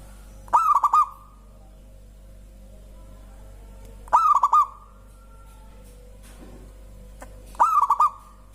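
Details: Local zebra dove, whose song prompts other birds to sing: three short cooing phrases about three and a half seconds apart, each a clipped first note and a run of three or four fast rolling hoots.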